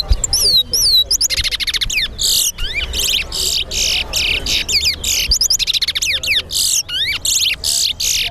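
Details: Large-billed Seed-Finch (towa towa) singing in a bird song competition at a Guyana bird ground: a rapid, continuous run of clear, slurred whistles sweeping up and down at high pitch, with human counting in the background.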